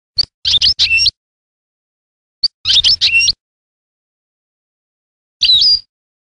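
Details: European goldfinch song recorded in 1985: short bursts of tinkling, twittering notes with quick rising and falling whistles, separated by pauses of over a second.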